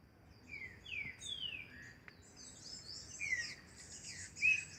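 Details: Green-winged saltator in song training outdoors: scattered slurred whistles, some falling and some rising, softer and partly masked by busy high chirping and hiss from other birds and insects, plus one sharp click.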